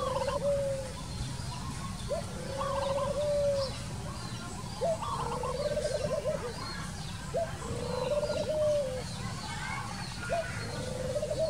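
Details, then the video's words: Wild Spotted Dove calling outdoors: low, fluttering coos, each beginning with a short note and running into a rolling trilled phrase, repeated about every two seconds. A faint higher trill sits above them, with steady background noise. "Wild bird Dove, wild bird, Dove, นกเขาใหญ่"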